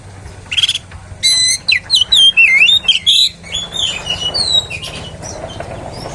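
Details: Oriental magpie-robin song used to provoke rivals: a brief opening note, then a rapid run of whistled, twisting phrases and chirps over a low background hum.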